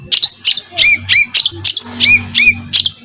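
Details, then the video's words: Songbird song from a master recording for competition birds, featuring rough fills: quick varied chirps and sharp upslurred whistled notes delivered in an irregular, chattering run. "SPESIALIS ISIAN KASAR ! suara tembakan kasar untuk masteran || MASTERAN BURUNG LOMBA"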